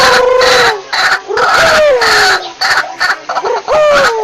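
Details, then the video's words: Lure calls of a white-breasted waterhen: loud harsh nasal notes, several sliding downward, repeated in bursts roughly every second to two seconds, with brief gaps and some rough overlapping chatter. "SUARA BURUNG RUAK RUAK PIKAT"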